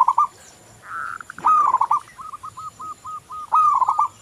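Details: Local zebra dove in full song: a short coo, a held wavering tone, then a loud rolling trill running into a series of crisp, evenly spaced notes and a final trilled flourish.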